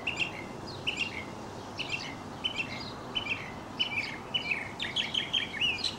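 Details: A mockingbird sings while leaping and tumbling, a routine he can keep up for an hour; bright chirped phrases come about once a second, ending in a faster burst of varied notes.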